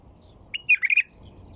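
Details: White-eared bulbul singing: one brief phrase of a few clear, bubbly whistled notes, rising and then wavering, lasting about half a second, over a quiet low hum.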